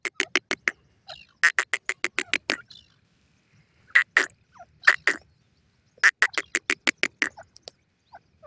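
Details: Francolin voice as rhythmic bursts of loud, rasping notes in fast series, separated by short silences, then paired notes and another rapid run; no other clear sounds.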